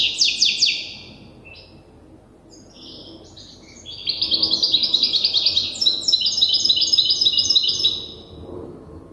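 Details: Young European goldfinch hybrid, still learning its song from an older hybrid: a rapid downward-sweeping burst, then a long run of fast repeated buzzy, metallic trills and twitters, dense and regular, high-pitched throughout.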